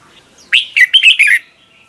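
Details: Single morning song phrase from a Red-whiskered bulbul, used as training sound for other bulbuls: five rapid, bright notes, rising then dipping, in under a second.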